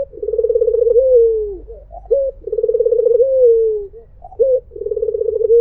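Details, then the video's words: Steady cooing of a white Barbary dove in the melodious "mpuk jeruuu" pattern: long rolling trilled coos, falling at their ends, each preceded by a brief sharp note. "SUARA BURUNG PUTER PUTIH || MPUK JERUUU || SUARA BURUNG PUTER MERDU"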